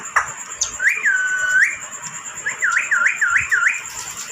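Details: A pet, hand-tame Indian ringneck (rose-ringed parakeet) whistles clearly: one long, level tone, then four quick rising, hooked whistles in a row, over a faint high hiss.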